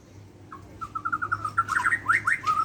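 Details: White-rumped shama from Borneo singing in the morning: steady run of short whistled notes accelerating into a rich, tumbling flourish of slurred phrases.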